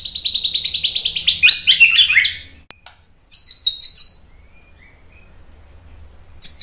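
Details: White-rumped shama song used to set off singing in other birds: a fast, even series of high pulsing notes, a brief break, then thin twittering.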